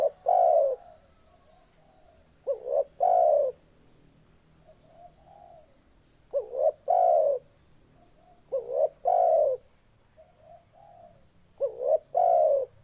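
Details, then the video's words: Spotted dove coos in repeated phrases: a short rising two-part note followed by a longer, louder, slightly falling coo, the pair recurring every two to three seconds, with faint softer coos between phrases. "Suara Burung Tekukur"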